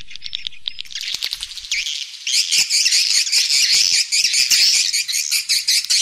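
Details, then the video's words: Swiftlet roosting sound played to lure swiftlets into a three-storey roosting building. Scattered high chirps at first, then a dense, continuous wash of bright twittering chirps layered over one another. "Suara Inap Walet 3 Lantai"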